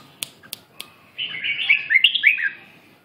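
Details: Three sharp clicks, then a red-whiskered bulbul launches into a rolling, slurred warble of rising and falling notes lasting about a second and a half.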